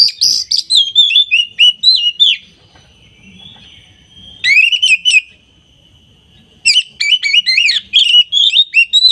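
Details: Oriental magpie-robin from hobbyist collections singing energetically: rapid, varied whistled and twisting notes in bursts, separated by pauses with a faint steady tone, then resuming quickly.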